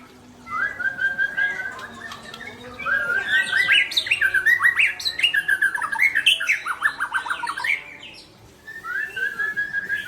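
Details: Rich, varied song of a white-rumped shama, called Murai Aceh: a whistled opening, then several seconds of rapid chattering, fluttering notes, closing with calmer whistles.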